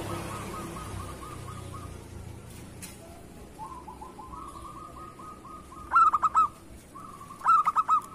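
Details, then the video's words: Local zebra dove in vigorous song, used as a lure bird: faint rolling trills, then two strong phrases of quick staccato notes ending in a steady mid-pitched trill, about one and a half seconds apart, with light background noise. "Perkutut lokal gacor cocok untuk pancingan"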